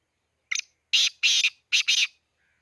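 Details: Black francolin at Khushab: a short introductory note, then four loud, harsh, rasping notes in two quick pairs, recorded clean and close with no background.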